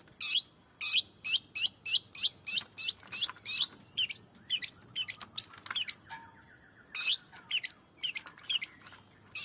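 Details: Fast burst of harsh, scratchy chirps from a long-tailed shrike, about three per second at first, then slowing into scattered quieter notes, a steady thin whine running throughout.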